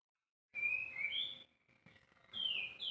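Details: White-rumped shama, kept bird, singing: clear whistled phrases, a falling whistle then a higher note, a pause of about a second, then another bright descending whistle, over a faint steady hum.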